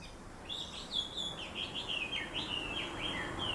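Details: Around sunrise, several birds in a big black locust tree next to a home in town chirp continuously. Wavering whistled notes rise and fall in a steady stream over soft background noise.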